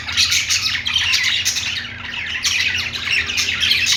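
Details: Pet budgies playing together, a dense continuous chatter of high warbled chirps and twitters from several birds, steady and loud throughout, with brief sharper squeaks.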